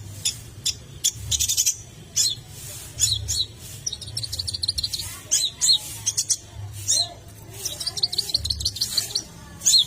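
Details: Long-tailed shrike singing to rouse other shrikes: scattered bursts of high, scratchy chirps and short twittering phrases separated by brief pauses, with a soft low hum in the background.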